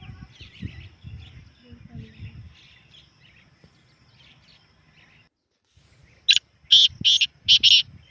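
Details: Partridge call meant to get a kept bird calling: faint distant chirps at first, then after a pause a burst of loud, grating, high notes repeated quickly, about four in under two seconds.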